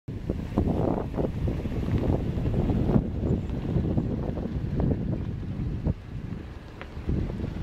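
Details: Gusty wind buffets the microphone, with rumbling low noise and no animal calls.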